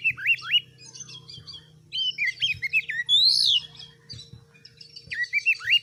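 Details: Hard-singing oriental magpie-robin, recorded to train other birds into fighters: quick rising whistles, a twittering chatter, then a loud swelling buzzy squeal, followed by more upslurred whistles over a low droning hum.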